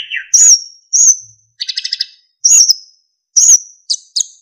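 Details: Clear flute-like notes from a narcissus flycatcher, recorded as training song for other songbirds. Loud, pure, high whistles repeat about every second, broken by a quick stuttering trill and a descending opening note.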